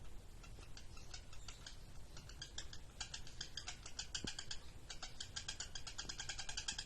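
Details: Lovebird singing in the ngekek style: fast runs of harsh, buzzy chattering notes rattling on in quick bursts, broken by short pauses, over a low background hum.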